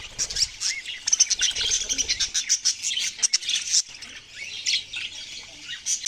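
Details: Chattering budgerigars, many birds at once, producing rapid pulsed chirps and squeaky warbles in a rhythmic run for the first four seconds, then softer scattered twitters; faint low thumps beneath.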